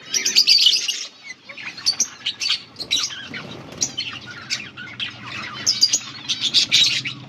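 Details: Budgerigar breeding pair, a beautiful budgie pair recorded August 16, 2024 during breeding progress, described as a mating call; dense bursts of high chirps and warbling chatter, some squawky notes, with brief pauses near the one-second mark.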